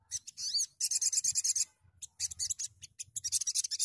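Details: Loud Sogon bird chatter: a high rising whistle, then long fast strings of dry buzzy pulses, breaking briefly and resuming in rapid rasping series.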